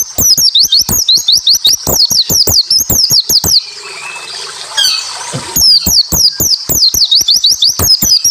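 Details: Japanese white-eye rapid, dense song used as a lure to provoke other white-eyes to sing: high, sharp downslurred whistled notes with clicks, several per second, broken by a short hissing, rustling gap midway.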